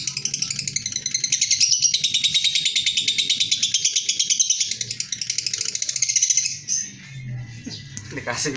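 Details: Lovebird ngekek, a long chatter of rapid, shrill repeated notes running continuously for about six seconds, then breaking off into a few scattered sounds and low background noise.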